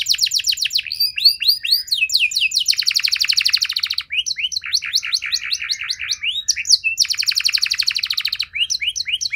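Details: Lively canary song intended to get other canaries singing: quick sweeping chirps, a dense buzzy trill, then repeated looping whistles and another rolling trill, varied and continuous over nine seconds.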